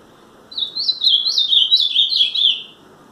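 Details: A very tame Ultramarine grosbeak sings a two-second melodious warble of high, sweet notes that rise and dip in quick succession before trailing lower at the end.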